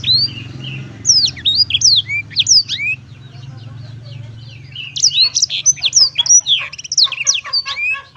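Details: Black-throated canary singing cheerfully: bursts of high, sharp whistled sweeps and rapid chirps, with a pause of quieter low hum in the middle before a second fast run of notes.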